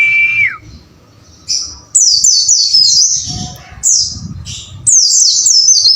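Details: Training recording of a caged white-eye: opens with a falling whistled note, then bursts of thin, high, rapidly repeated downslurred chirps in the wucit-wucit style, separated by short gaps with faint rustling.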